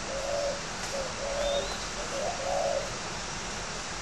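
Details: Spotted dove, kept as a fighting bird, giving a cooing call: a few mellow low coos, short then longer, ending in a wavering drawn-out note, with constant hiss behind.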